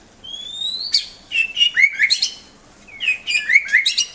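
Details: White-rumped shama song used as tutor recording for pet songbirds: a long rising whistle, then bursts of sharp slurred whistles and chirps in two phrases separated by a short pause; faint low hum behind.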